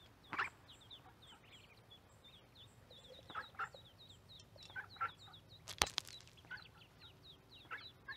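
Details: Mallard ducklings with a microphone placed by the corn, giving steady high thin peeps in rapid runs, with a few louder rough calls and one sharp broadband clatter near the end.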